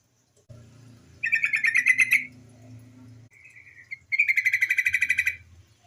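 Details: A female yellow-vented bulbul's lure call: a pulsed rattling chatter, a short thin note, then a longer, louder chatter of about fifteen quick pulses over a low background drone.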